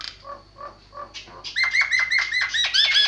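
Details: Javan myna singing: three soft paired notes, then a rapid rolling chatter of buzzy, down-curving phrases that grows louder toward the end, with a faint steady whine in the background.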